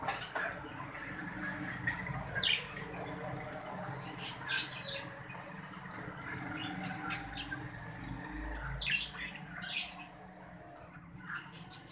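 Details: Budgerigars, a green breeding pair: scattered sharp, high chirps and short squeaks spaced a few seconds apart over steady low background hum.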